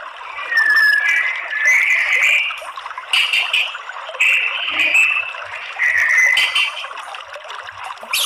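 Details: White-rumped shama song used as a lure to provoke male fighting song: loud whistled phrases come in bursts about every second, broken by sharp rattling notes and short quieter gaps.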